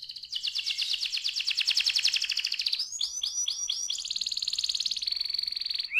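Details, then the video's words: Canary singing for young canaries to learn from: a rapid, buzzy rolling trill for over two seconds, then five or six looping swept notes, then a smooth high trill and a lower steady rattle. "ampuh membuat kenari muda gacor"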